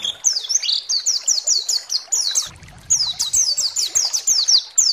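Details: Pleci, or white-eye, singing in a lure recording used to rouse other white-eyes: fast series of sharp, high, downward-slurred chirps, a brief pause midway with a low rumble, then the rapid chirping resumes.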